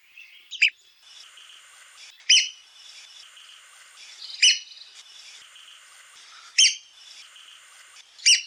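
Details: Piercing squeaky notes from a red-cockaded woodpecker, one every two seconds or so, set against a constant high-pitched hum.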